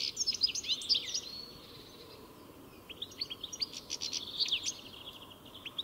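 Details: European goldfinch song in two bursts: a rich twittering phrase, a brief pause, then another run of quick high chirps and slurred notes ending in tinkling twitter.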